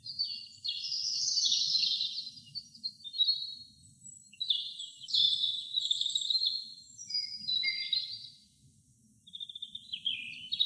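A robin sings high, thin warbled phrases of a second or two, rising and falling, with brief pauses between. A soft low rumble sits beneath.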